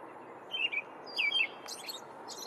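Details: An American robin in the woods gives two quick, slurred chirping phrases about a second apart, followed by softer, higher rasping notes, over a steady background hiss.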